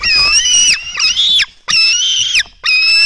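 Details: Begging black stork nestlings at a Latvian nest during an early-morning feeding on 24 June 2016: loud, drawn-out squealing notes with strong harmonics, each lasting under a second and ending in a downward slur, separated by brief gaps.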